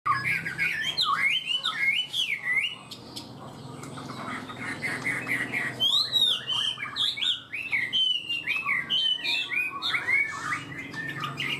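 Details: A Chinese hwamei, described as singing high and starting to sing quickly and steadily, sings loud, rich whistled phrases that twist up and down in quick bursts, pausing briefly midway before resuming, over a faint low hum.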